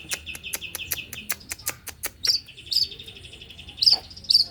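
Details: Male white-rumped shama in fast pentet-style song: a quick series of short clipped high notes, then sustained whistled tones broken by sharp bright accents.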